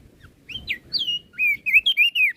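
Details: Flores crested white-eye singing energetically to provoke other birds: a lively string of sweet, slurred whistles, some long and gliding downward, others short and wavering, packed closely in a rapid phrase.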